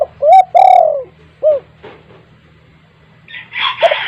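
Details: Spotted dove with a loud voice, used as a lure for wild doves: two strong, smooth coos followed by a shorter one, with a soft hum beneath and a brief noisy rustle at the end.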